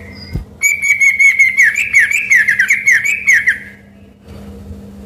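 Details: An energetic sooty-headed bulbul gives one long, continuous warbling phrase of rapid whistled notes that dip and rise, lasting about three seconds, with a constant electrical-sounding hum beneath.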